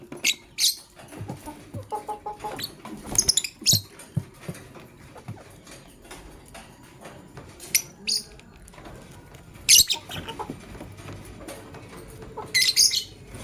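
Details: Male lovebird choosing a partner, giving sharp, high, harsh chirps in short bursts, sometimes doubled, scattered unevenly over the stretch, with soft rustling and tapping between calls.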